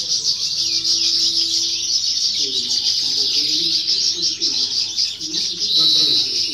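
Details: A novice European goldfinch performs at a singing contest held in 2018 or 2019, pouring out bright rapid chatter and liquid twitters, closing with a sharp whistled note; low human talk murmurs underneath.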